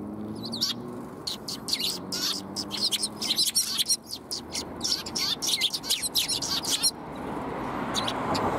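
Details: Sparrows arriving for food on 20 March 2021 keep up a rapid, overlapping chorus of high chirps and tweets for several seconds, breaking off near the end into a rising soft rushing noise.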